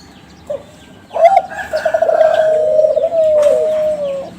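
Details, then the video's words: Kelantan spotted dove lure song from young contest-lineage birds: a soft opening note, then a long rippling coo that settles into a steady level tone. "SUARA DERKUKU KELANTAN TRAH JUARA PANCINGAN"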